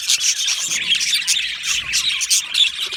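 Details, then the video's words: Happy singing and chirping from an Australian budgie colony: many birds chatter at once in a bright, busy warble, with brief louder chirp bursts rising out of the steady twittering. "Australian Budgie singing and chirping sounds"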